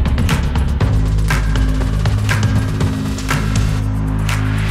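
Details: Loud music with heavy bass and rhythmic percussive hits throughout, with no animal calls.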